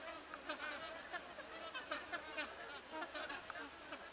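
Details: A flock of magpie geese perched in trees gives a dense chorus of overlapping, resonant honks, several each second, some rising to brief sharper notes.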